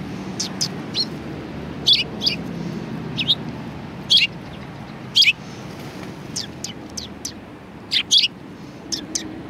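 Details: A flock of sparrows at a Tenmangu shrine chirps in irregular high bursts, several loud doubled notes spread across the stretch, over a steady low rumble.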